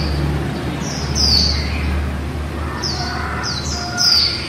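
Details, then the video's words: Female white-eye giving a líu twittering song: thin, high descending whistled notes in short bursts, a few lower chirps between them, over a steady low hum. "Khuyên mái líu đẳng cấp THẾ GIỚI"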